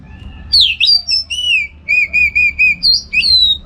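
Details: Orange-headed thrush singing as a training bird for song contests: strong high whistles followed by a quick series of six evenly spaced slurred notes, then rising and falling whistled flourishes.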